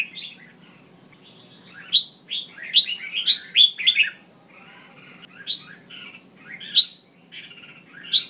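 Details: Red-whiskered bulbul female calls intended to set males singing: softer chattering at first, then a loud burst of rapid descending chirps around the middle, followed by scattered sharp slurred notes.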